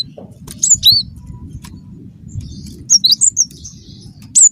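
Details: Cinereous tit (gelatik batu) lure call meant to prompt other tits to reply; a few scattered, piercing high chirps with falling inflections, then a short run of quick notes, over a low background rumble.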